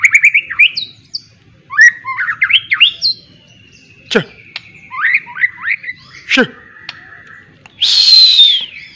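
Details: White-rumped shama in training, singing a miwah-filled song. There are long strings of varied chirps, slurs and a level sustained whistle. Two sharp, loud cracks interrupt the song, and a harsh, buzzy burst comes near the end.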